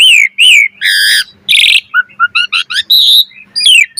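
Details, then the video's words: Asian pied starling singing a lively, varied lure song: slurred whistles, harsh buzzy notes, then rapid short chirps and rising whistled phrases, loud and close with no background noise. "Suara Jalak Suren Gacor Mompa Full Variasi, Pancingan Jalak Suren Agar Burung Jalak Gacor Full Isian"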